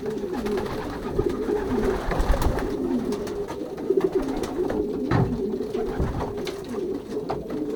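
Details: Young racing pigeons in their loft during pairing, 2023 season, Pruszków branch, Poland; a crowded, low cooing murmur with brief louder coos, wing flutters and scraping knocks now and then.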